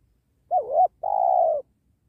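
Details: Two-part coo from a penguku spotted dove during trapping beside a sacred tree: a quick dipping, wavering note, then a longer even, faintly pulsing coo, in a quiet setting.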